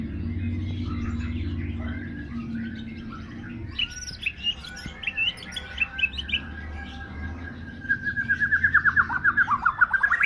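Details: White-rumped shama, a champion-minded bird singing prolifically: after a low steady hum, scattered high chirps and whistles give way to a fast rising series of sharp repeated notes near the end.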